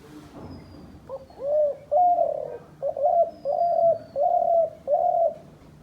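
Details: Decoy dove kept by hunters delivers a run of about six low, hollow coos, the first two rising and swelling, the rest shorter and evenly spaced.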